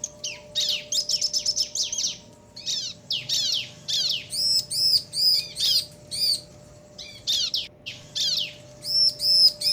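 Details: Bar-winged prinia pair singing back and forth, intended to provoke other birds; rapid stuttering high notes and buzzy descending trills alternate with bursts of bright arched chirps over nearly ten seconds.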